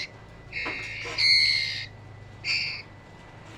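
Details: Male and female trotol birds calling: harsh, squawky bursts, one long raspy call near the middle and a shorter one later, separated by quiet pauses, with a low steady hum beneath.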